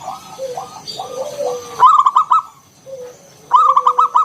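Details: Local zebra dove singing in the ngalun kung bulat style, used as a lure to draw other doves into song: soft drawn coos, then a loud rapid burst of five staccato coos, repeated after a pause.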